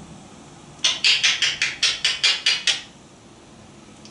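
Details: Indoors, a run of about ten sharp, evenly spaced tapping knocks, with no animal voice.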